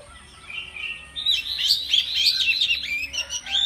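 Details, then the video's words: Oriental magpie-robin (kacer) morning lure song, played to encourage birds to sing often and vigorously. After a faint quiet start, a dense, continuous stream of rapid high whistles, trills and chattering notes builds up and carries on without a break. "PANCINGAN KACER PAGI HARI AGAR RAJIN BUNYI DAN GACOR"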